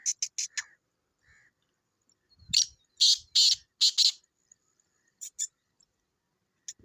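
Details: Sindhi black francolin, kala teetar: a few short scratchy notes open, then after a pause a run of five loud, rasping, buzzy notes, followed by softer clipped calls and faint low knocks.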